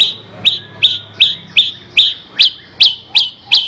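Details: Horsfield's bush lark, recorded for training other songbirds: a steady series of high, clipped notes with short trailing whistles, nearly three per second, over a faint low hum.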